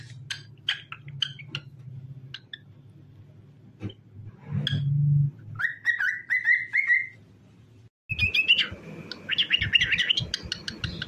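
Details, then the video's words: Pet cockatiel singing while dancing: sharp clicking chirps at first, then a warbled whistled phrase holding one pitch, then a cut to a denser burst of buzzy chirps and whistles, over a steady low hum. "Cockatiel Singing"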